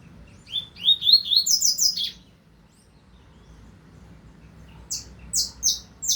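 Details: Double-collared seedeater (coleiro), 2025 season, singing two bursts of high, buzzy rising notes, the first a run of about seven slurred phrases climbing in pitch, then a gap before four sharper downslurred notes; quiet background.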